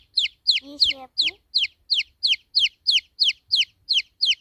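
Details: Baby chicks peeping: steady downward-sliding high chirps about three per second, with a brief lower, harmonic squawk midway.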